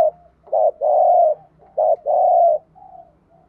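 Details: Lure coos of spotted doves in the 'gù thúc' urging style for training: two deep, hollow coo pairs, a brief note then a drawn-out steady tone, followed by a soft trailing murmur.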